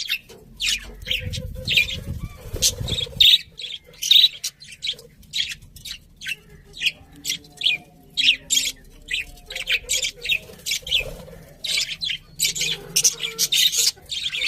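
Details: Several budgies keep up a dense, steady stream of high, sharp chirps and twitters with barely a pause. A low rumble fills the first few seconds.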